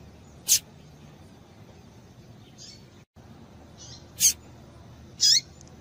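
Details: Female double-collared seedeater calls, used to excite a male into singing: short, sharp, high chirps, some sweeping downward, given singly about once a second at uneven intervals over a soft steady hiss.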